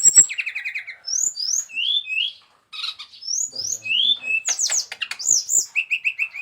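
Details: Brown-chested jungle flycatcher singing clear, slurred whistles, some rising and some falling, between short trills, with a brief silence midway and a closing series of four quick repeated notes.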